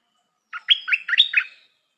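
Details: Stripe-throated bulbul, a new decoy bird said to have a pleasing song and good phrasing, gives one quick bubbly phrase of about five warbled, slurred notes, rising and falling, clean and close.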